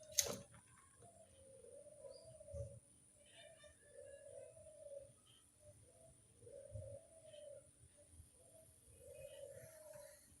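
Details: Barbary dove lure call, heard at a distance: four soft, hollow mid-pitched coos repeated about every two seconds over steady background hiss, with a click at the start.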